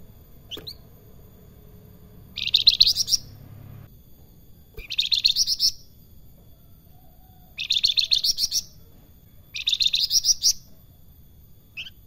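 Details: Salakan in lively song: four high, buzzy trilled phrases of about a second each, spaced roughly every two to three seconds, with a soft low hum underneath.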